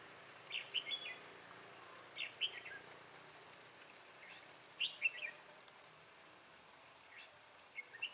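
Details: Red-whiskered bulbul decoy singing during a bulbul trapping session on 12 February 2017, luring wild birds; short bright chirpy phrases of two to four notes come in bursts roughly every one to two seconds over faint background hiss.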